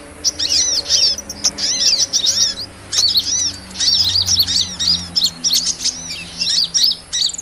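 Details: Small-bird trapping lure of hummingbird calls: clusters of sharp, very high chirps and downward-curving squeaks repeated in quick runs, separated by short silences.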